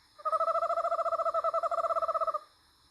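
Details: Eastern Screech-Owl tremolo, a lower call exchanged between a mated pair to keep in touch in the dark: a rapid, even run of about thirty soft hooting pulses on one pitch, lasting just over two seconds.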